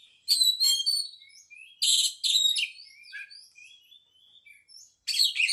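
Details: White-rumped shama delivering loud scratchy chattering bursts separated by softer thin whistled and twittering notes, with a final harsh burst at the end.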